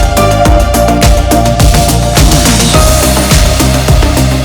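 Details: Loud electronic drum-and-bass music with a heavy repeating beat, and no animal sounds audible.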